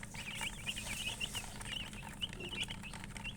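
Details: Baby chicks chirping continuously, a flock of young chickens giving thin, high, slurred peeps in quick overlapping series above a low rumbling hum.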